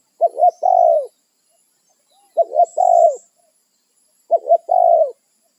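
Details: Territorial spotted dove calling companions in the wild: three evenly spaced phrases, each two quick curling coos followed by a longer descending coo, about every two seconds, with a faint high tone in the background.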